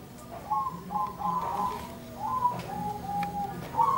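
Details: Several zebra doves answering one another, each bout a quick run of clipped, bubbling coo notes that rise slightly and then sag, with short pauses between the phrases.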